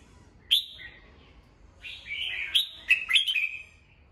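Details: Red-whiskered bulbul, a cage bird, singing in the morning for training other birds: a sharp note, then a rich rolling warble of several quick slurred whistles over two seconds.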